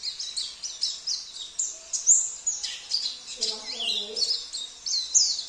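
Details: Oriental white-eye, Sambas variety, singing a fill-in song mixing canary, cililin, kapas tembak and jenggot phrases. Fast, very high chirps and slurred whistles run without pause. Soft human voices murmur briefly in the middle.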